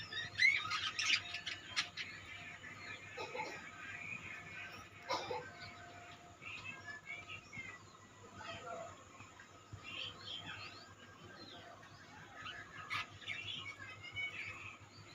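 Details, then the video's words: Budgerigars in a colony: a continuous mix of high chattering warbles and short chirps from many birds. A few sharper squeaks stand out early, over a steady low electrical hum. "budgeis birds colony"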